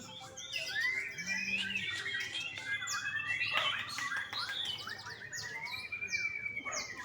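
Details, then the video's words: Young white-rumped shama at a Bali bird farm, its song a lively mix of slurred whistles, trills and crisp descending chips, ending in a long sustained whistle, with one brief low hum early on. "MURAI BATU MUDA"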